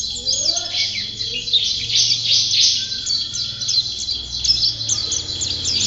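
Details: High, thin white-eye twittering, a dense chirping chatter over a steady low hum.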